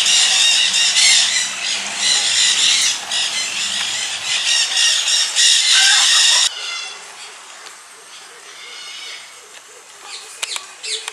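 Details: White-naped cranes (Antigone vipio) at a bird sanctuary in Hout Bay, Cape Town, 19 November 2015, give loud harsh trumpeting calls in rapid overlapping bursts for about six seconds, then quieter scattered calls after an abrupt break.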